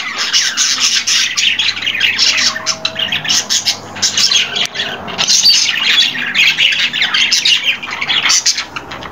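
A budgerigar chatters in a steady stream of harsh, scratchy squawks and quick chirps.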